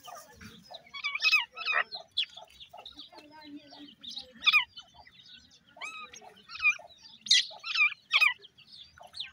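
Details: Grey francolin chicks (dakhni teetar) squabble: quick high squeaky chirps with down-slurred notes come in clustered bursts, louder peaks near the middle and end, and soft scuffling below.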